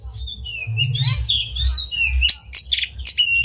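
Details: Oriental magpie-robin, tail spread, delivering a unique lure song meant to stir other magpie-robins to sing. Continuous warbling whistles and trills with sliding notes, then crisp chips and clear whistled phrases.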